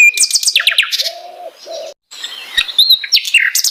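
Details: Sikatan londo flycatcher song. Bursts of fast descending high chips open the clip, then a brief pause, followed by scattered sharp whistled notes and twittering phrases in an uneven rhythm.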